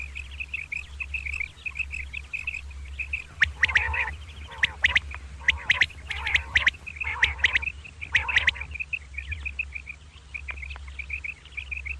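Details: Common quail (batair) in a double morning call, kirk karkar. A long string of short, high, repeated chirps. Loud, harsh, buzzy bursts fill the middle. Low hum continues beneath.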